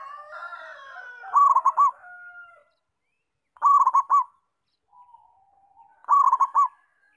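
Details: Local zebra dove singing three rolling coo phrases spaced about two and a half seconds apart. Other birds give wavering calls in the background, strongest near the start.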